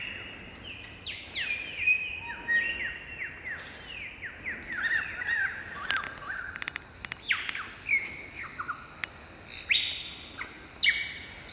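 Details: A lyrebird sings from a branch in Australian cool temperate rainforest in the morning, pouring out a varied run of loud whistles, sharp downslurred notes and rapid chatters, changing phrase every second or two, with faint forest hiss behind.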